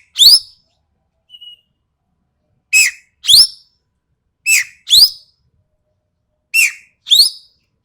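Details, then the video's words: Sharp, harsh calls of a Sumatran ekek keling: paired raspy notes, the second with a rising, buzzy edge, delivered in couplets roughly every two seconds, with a brief faint whistle near the start. "BURUNG EKEK KELING SUMATERA SUARA TAJAM DAN KASAR"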